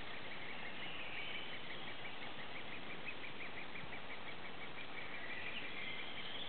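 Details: Nestling great spotted woodpeckers being fed in their tree cavity give a steady stream of quick, evenly repeated squeaky notes, about three per second, against a dull, boomy low-frequency hum.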